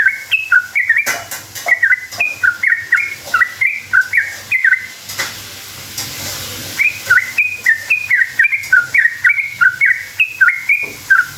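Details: Long lure song of a sooty-headed bulbul meant to provoke other bulbuls into replying: bright fluttering whistled phrases, a brief quieter pause in the middle, then the rapid bubbling notes resume.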